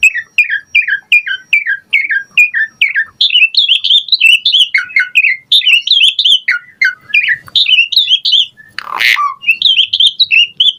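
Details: Asian pied starling singing a full varied song for training other birds, a steady string of short bouncy whistled phrases repeated about twice a second, with one harsh rasping burst near the end.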